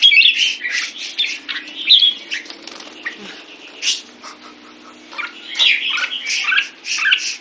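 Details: Red-whiskered bulbul, a caged bird fed a tuned diet, delivers bursts of rich warbled and chattering notes separated by quieter pauses, with a constant low hum in the background.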